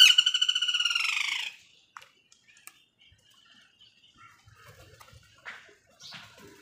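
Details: An angry crow, tearing a leaf while crows fight for food, gives one loud, drawn-out, rasping caw. It lasts about a second and a half and slides slightly downward, then only faint scattered clicks and rustles follow.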